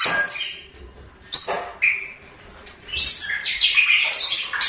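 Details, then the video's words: Long-tailed shrike (cendet) singing a scratchy, harsh medley of buzzy trills, short whistles and rasping notes, starting softly, with sharp loud bursts, then a dense energetic chatter toward the end; faint background hiss. "Suara Burung Cendet"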